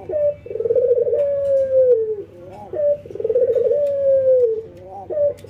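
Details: A ringneck dove in routine training, an albino white bird paired with a local one, gives two coo phrases in a small room. Each is a throaty roll that slides into a long, slowly sinking note, followed by short clipped notes.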